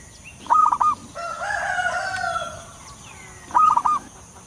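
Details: Wild local zebra dove used as a lure, giving two short, clear bursts of rapid stuttering coos, one at the start and one near the end, with a longer drawn-out call from another bird in between.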